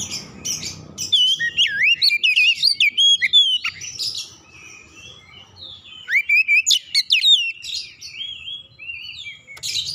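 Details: Oriental magpie-robin (kacer) song used as a lure to provoke another bird into singing: loud varied whistles, sweeping slurs and sharp chirps in rapid bursts, with a short pause mid-phrase and faint low background noise.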